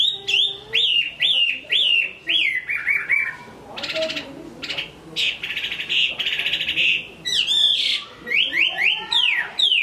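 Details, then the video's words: Chinese hwamei in a cage in Hai Phong, Vietnam, singing well: a series of loud down-slurred whistles repeated about once a second, then buzzier rasping phrases, then more quick slurred whistles. "Họa mi hót tốt"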